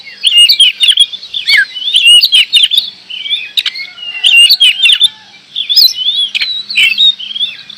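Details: Continuous, lively singing from an Indonesian oriental magpie-robin, with tumbling whistled notes in quick sequences, curling up-and-down slurs and occasional crisp clicks. One brief lull comes midway, then the rich warbling resumes.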